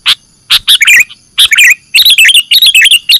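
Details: Sooty-headed bulbul (Pycnonotus aurigaster) on a lure recording gives bubbly, liquid whistled phrases mixed with harsh scratchy bursts, several calls in quick succession.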